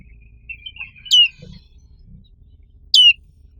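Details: Black-capped white-eye, a white-eye species found only in Indonesia with a black forehead: two short high chirps, one sharply descending sweep and a later matching downward note, with faint chatter before the first.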